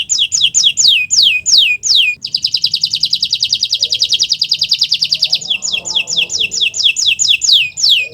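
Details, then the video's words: Kenari Nusantara canary song, used to coax canaries that have stopped singing: quick runs of falling whistled notes bracket a long, even, buzzy trill lasting about three seconds. "Masteran Burung Kenari untuk Pancingan Burung Macet Bunyi"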